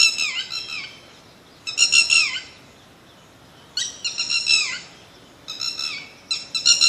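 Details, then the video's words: A bird singing: loud, harmonically rich phrases of squeaky, downslurred notes about half a second long, in bursts roughly every two seconds with quiet gaps between them. "BIRD SONG"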